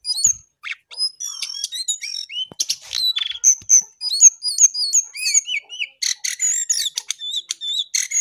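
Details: Lesser shortwing, locally called jongkangan or cingcoang coklat, singing vigorously: rapid high, thin whistles and sharp chirps, many slurred up or down, tumbling together in a continuous varied stream with brief gaps.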